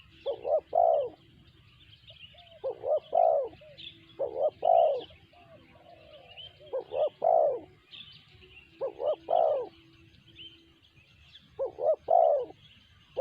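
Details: Spotted dove (tekukur) giving its sanji-style call: low, hollow two- or three-note coos in short bursts, each burst repeated every two to three seconds, over continuous high twittering of small birds.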